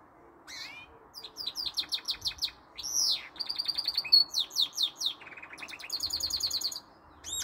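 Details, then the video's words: Goldfinch mule with some canary notes: lively continuous warbling of repeated chirps, slurred whistles, buzzy trills and a lower rolling trill, delivered in quick succession. "goldfinch mule some canary note sings allday long"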